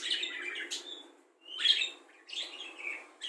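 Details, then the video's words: Budgerigar singing a song packed with mimicked birds such as the red-whiskered bulbul, the white-eye, the laughing lovebird and fighting sparrows; scratchy warbling phrases broken by a short pause, with a brief whistled note. "Parkit isian mewah cocok untuk memaster burung kicau"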